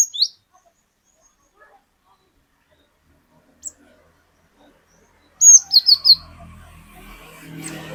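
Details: Great tit (glatik batu) with a single high note, then after quiet a quick run of four shrill two-part whistles, followed by soft rustling and low background hum.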